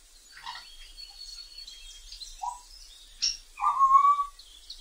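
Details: Wild African grey parrot: thin high whistled tones and scattered chatter, then a short low note, a sharp click, and a loud, drawn-out rising whistle near the end.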